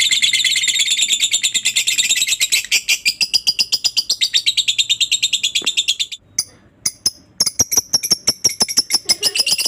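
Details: Lovebird in ngekek song, which is used to prompt other lovebirds to sing: six seconds of rapid, grating high chattering, then a short gap and sparser sharp chips.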